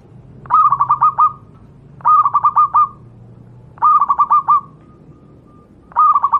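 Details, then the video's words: Local wild zebra dove, known in Java as perkutut, singing as a master tutor for training other doves: bursts of five or six rapid fluttering coos near one pitch, each burst repeated about every two seconds, with a soft lingering tail. "burung Perkutut lokal alam, suara untuk masteran perkutut anda"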